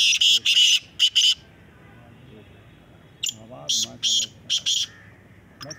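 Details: Black francolin calls in a calling competition; loud, harsh, high-pitched notes in short rapid bursts, a group of five then a pause, then another run of staccato notes, with a man's faint voice between.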